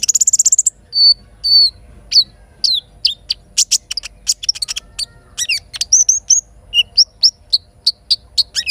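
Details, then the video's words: Little spiderhunter singing in the morning, its song filled with learned kinin phrases. A fast high trill opens, followed by thin whistled notes and sharp, spaced chirps. A faint low rumble sits beneath. "Terapi Sogok Ontong isian kinin Pancing Gacor Pagi Hari"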